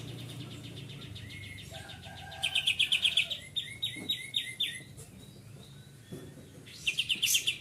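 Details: Full song of a greater green leafbird in a songbird-keeping setting: sharp trilled bursts and quick repeated whistled phrases around four per second, pausing briefly then resuming with a final bright trill.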